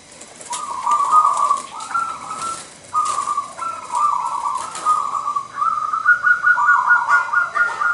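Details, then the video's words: Big-voiced local zebra dove singing steadily in 'nggayer' style: a long run of vibrating coo notes with almost no pauses, the last notes pitched slightly higher. "Perkutut Gacor Manggung Nggayer Lokal Alam suara besar"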